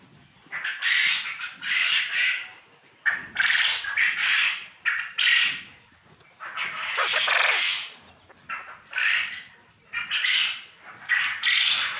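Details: A farmed male quail in Punjab, Pakistan, gives harsh, buzzy bursts in quick pairs and triplets, about one per second, with short pauses between groups; nothing else is heard.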